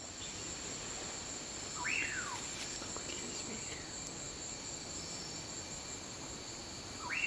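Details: A male common pauraque calling at dusk in the lowlands of Guatemala gives two slurred whistles about five seconds apart, each quickly rising then falling, over a steady high hum of crickets.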